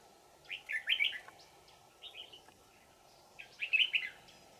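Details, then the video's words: Old wild red-whiskered bulbul, trapped with a decoy in Vietnam on 20 December 2018; clear whistled, warbling phrases in three bursts, bright and tumbling, with a faint low background hum. "Bẫy chào mào Già rừng giọng chuông xoắn tít"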